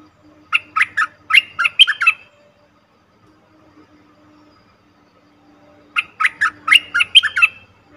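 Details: Cream-vented bulbul calls played as a trapping lure: two bursts of rapid bubbly chattering, each about eight liquid notes, separated by several seconds of near silence.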